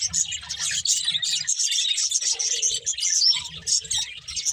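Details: Budgerigars chirp in a busy flock chorus, all high twittering and scratchy warbling, with a short lower hum in the middle and faint low knocks.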